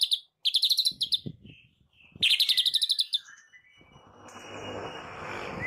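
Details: Morning lure of white-rumped shama song for encouraging shamas to sing: two bursts of rapid stuttering notes with soft whistles between, then a thin whistle over rising background hiss.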